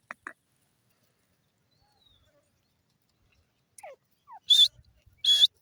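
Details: Pakistani desi francolin (teetar) gives two loud, harsh, grating bursts close together near the end, after a few faint clicks and scrapes in a quiet stretch.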